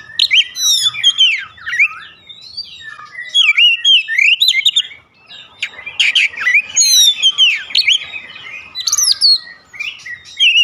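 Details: Oriental magpie-robin lure song, used daily to trigger other magpie-robins into singing: a dense, fast stream of varied whistles, sweeping slurs and chattering notes in bursts, with short pauses near two and five seconds.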